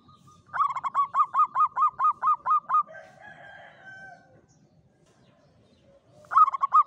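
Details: Javanese zebra dove, local klowongan bird in a classic Mataraman cage, singing about ten rapid, evenly spaced clear coos, followed by a brief different tonal sound and the start of another cooing phrase.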